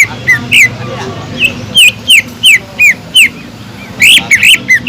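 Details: Cucak ijo (greater green leafbird) singing kingfisher-style fill (tengkek udang): a string of short, sharp, slurred whistles that swoop up then down, delivered quickly and unevenly, with a soft low hum behind.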